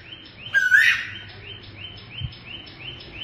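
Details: Black tuwu owl, a mythical and frightening voice in local belief: one sharp rising whistle, then a quick train of short, evenly spaced higher notes fading softly, with a low hum and a faint thump behind.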